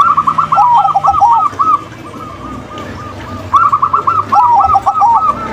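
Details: Zebra doves, a local female and a crossbred male, cooing together: two bursts of rapid, rolling, looped coos repeated in quick succession, separated by a quieter stretch of softer coos, with steady background hiss.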